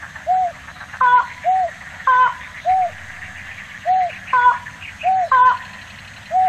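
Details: Slaty-legged crake in Tainan City, Taiwan, 9 December 2019, giving short, hollow, mid-pitched notes about once a second, interleaved with a higher, nasal, ringing note, possibly from a second bird.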